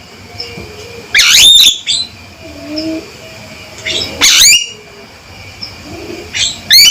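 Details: Loud, steady calls from a male Javan myna: three strident bursts of high, tightly stacked notes several seconds apart, with soft low murmuring notes in the gaps.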